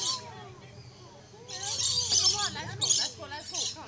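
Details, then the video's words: Rainbow lorikeet in a tree at Lion Country Safari, Florida, giving harsh, high screechy bursts between rapid chattering notes; a low voice-like murmur runs underneath. "Rainbow Lorikeet Singing"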